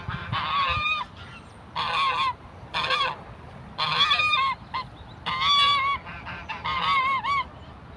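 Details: Aggressive African geese, hissing at and chasing people, give loud, harsh honks in bursts of about half a second to a second, with several calling in a ragged series over faint background noise.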